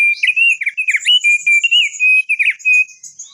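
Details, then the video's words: Crested darkeye song used as a lure to prompt long rolling 'ngerol' singing: a continuous, loud run of clear whistled warbles wavering up and down, with quick slurred notes and brief breaks, and fainter high notes above. "Pancingan Opior Jambul agar Cepat Bunyi Ngerol Panjang"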